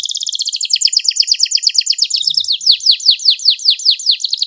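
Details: Canary tutor song in the 'tembakan pedes cengkok mewah' style. A fast, dense high trill turns into a series of clear downslurred chips repeated about three times a second, loud and uninterrupted.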